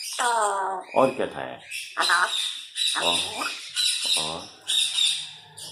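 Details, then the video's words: Talking grey parrot kept as a pet, speaking Urdu fruit names; about six clipped, speech-like bursts with stacked harmonics, roughly one a second, each followed by short gaps, and light background music. "Talking grey parrot"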